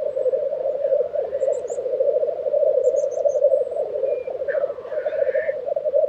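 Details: Black grouse bubble continuously at a lek in Tiveden, Sweden, April 2023; a few very high, thin ticks come from above, and a loud rising hiss follows near the end.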